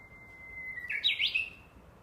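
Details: Japanese bush warbler in a tomb woodland behind a house, 12 July 2014: a long level whistled note swells into a sharp, tumbling flourish of quick up-and-down phrases.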